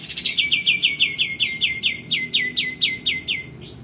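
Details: Male white-eared bulbul song used for training kacer and murai batu songbirds: a fast series of about sixteen sharp, downward-sweeping whistled notes, evenly repeated several times a second, with a faint higher note at the end.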